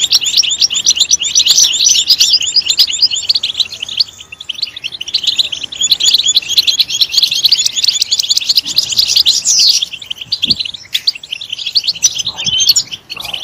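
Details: Long, loud European goldfinch song for stimulating goldfinches to chirp: a continuous stream of fast twittering and buzzy trills, briefly easing around four and ten seconds, with a few faint knocks.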